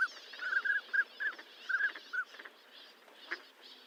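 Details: Northern pintail: a run of short, clear whistled notes, some doubled, given in quick bursts over the first two seconds. Softer flock chatter and rustling continue underneath, then a lone note near the end.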